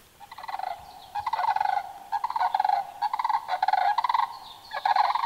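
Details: A pair of sandhill cranes give a unison call, trading loud, rolling, trumpeting rattles in about five bursts in two different tones; played in a pre-dawn crane-call class before the April crane count in Wisconsin.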